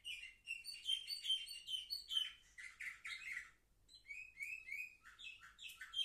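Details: Canary youngsters seven months old, recorded 10 November 2023, deliver clear whistled notes and buzzy trills in quick sequences, pausing briefly midway before resuming with sharp chirped phrases.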